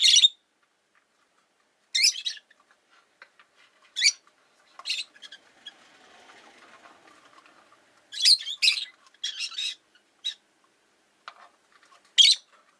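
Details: Rosy-faced lovebirds, five in a window-side cage, chirp in irregular bursts of harsh, high, scratchy notes, some in quick clusters. A soft wash of street or traffic noise comes through in the middle.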